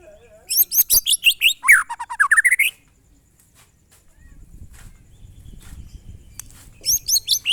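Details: White-rumped shama singing its monotonous "glondong" style: a rapid series of high, sharp notes sliding downward, a run of lower rising notes, a pause with faint low rumble, then the high series starting again.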